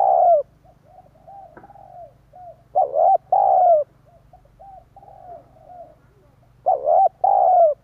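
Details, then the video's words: Spotted dove call played to lure wild doves. Loud, low, hooting coos come in paired bursts near the start, around three seconds and again near seven seconds. Softer, shorter coo notes fill the gaps over a faint low hum. "Chim cu gáy kích bổi nhanh nổi hiệu quả"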